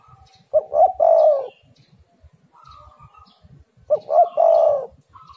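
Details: Lure song of a spotted dove for drawing other doves to call: a short double note and a long low coo, then silence, and the same phrase repeated roughly three seconds later.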